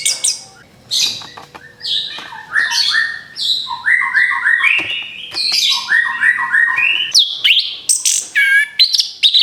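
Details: Orange-headed thrush song for luring other birds, a long varied stream of whistled notes with repeated descending paired phrases mid-way and high sharp slurs toward the end.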